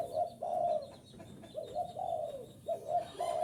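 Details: Spotted dove cooing to lure wild doves, a fast series of rich, slightly descending coos, each lasting about half a second, coming in close succession with little background noise.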